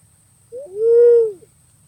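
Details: A single drawn-out whistle from a pink-necked green pigeon. It opens with a brief higher note, then swells into a long, smooth, gently arched tone and ends with a tiny flick.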